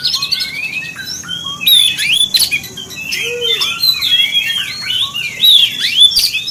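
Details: Oriental magpie-robin song used as a provoking lure to stir other magpie-robins: dense, rich whistled phrases with rising and falling slurs, sharp chirps and rapid trills, several voices overlapping almost continuously.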